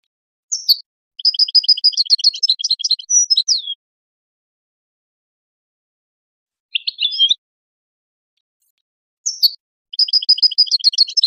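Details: Goldfinch singing from a teaching tape for chicks: a sharp high note opens a long rapid twitter of liquid, warbling chirps. A short scratchy phrase follows after a pause, then the note and twitter repeat.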